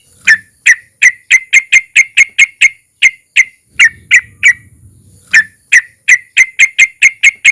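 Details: Sooty-headed bulbul long rolling song, a lure to get other bulbuls singing: bright, clipped whistled notes repeated about twice a second in steady series, broken by one brief pause.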